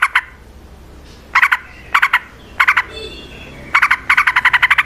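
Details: Yellow-vented bulbul singing a long, fighting-style song meant to lure others into answering; clusters of husky chirps separated by short gaps, ending in a quick repeated string of notes.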